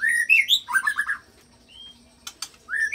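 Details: White-rumped shama singing mimicked fill-in phrases of other birds with long rolls, used to provoke fighter shamas into singing: rising whistles and a quick burst of warbled notes, a pause, a few sharp clicks, then another rising whistle.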